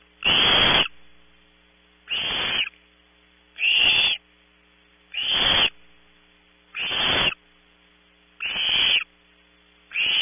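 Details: Barn owl owlets in a nest cavity at Audubon Starr Ranch, California, competing for prey delivered around 3 a.m.: harsh, breathy hissing screeches, each about half a second, repeated roughly every one and a half seconds, with a faint steady electrical hum behind.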